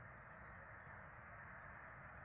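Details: Peregrine falcon chicks, four of them, begging as they are fed at the nest in Rome on 12 April 2024; high, thin, buzzy wheezing builds to a louder stretch in the middle, then tapers off.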